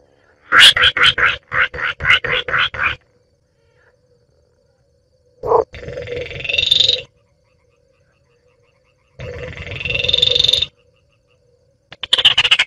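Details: Baillon's crake calling: a quick run of about ten sharp staccato notes, then longer grating rattles that rise slightly in pitch, separated by pauses.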